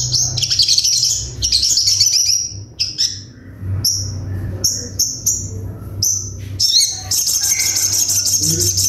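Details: Crimson sunbird in a full sharp 'tembakan' song: rapid high trills, scattered piercing short notes, and then a long, steady, fast-pulsed shrill trill, over a constant low hum.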